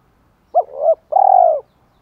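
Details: Female spotted dove calling as a decoy to stimulate males. A quick rising-falling coo slurs into a softer note, then a long steady trilled purr slides down at the end.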